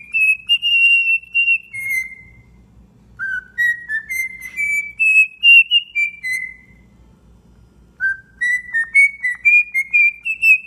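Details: A tame pet cockatiel whistles a melody twice, each phrase starting on a lower note and climbing through a run of clear, high tones, with short quiet breaks between phrases.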